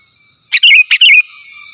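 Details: Sooty-headed bulbul calling to a rival, two quick bubbling phrases, each a sharp note followed by a rolling whistled warble, close together, with a faint high hiss behind.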